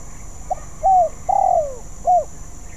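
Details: Still-unpolished song of a spotted dove in training: a faint opening note, a level coo, a long descending coo, and a short final coo, all low and mellow.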